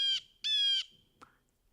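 Blue Jay giving two harsh, nasal, buzzy jeers in quick succession, the second longer and steady, followed by a faint click.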